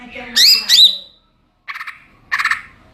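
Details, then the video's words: Greater green leafbird, cucak ijo, in ngeplong style: two sharp slurred whistles followed by short harsh rattling chatters, over faint low hum. "Burung cucak ijo NGEPLONG2.."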